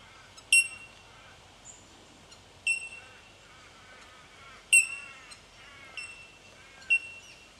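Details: Bell miner, Aboriginal name jumjum, in Victoria, Australia, March 2011: clear bell-like high pings repeating every one to two seconds, five notes in all, with fainter harsh scolding notes between them over a constant hiss.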